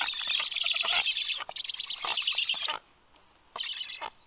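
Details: Black stork at the nest at feeding time, 6:07 a.m. on 6 August 2022, when big fishes are brought in. The harsh, squealing calls come in dense rapid bursts for nearly three seconds, stop, then return in a short, raspy flurry.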